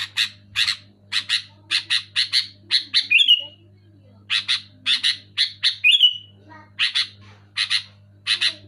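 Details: Loud, clear kutilang (sooty-headed bulbul) chatter: bursts of harsh paired chirps broken twice by a quick trilled slide, with brief pauses between phrases and a faint low hum.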